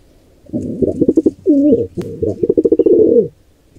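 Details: Wild pigeons at a nest where a squab is attacked by an intruding pair: loud, low cooing and grunting notes in quick bursts, some rapid stuttered pulses, then drawn-out rolling coos, with a brief sharp click midway.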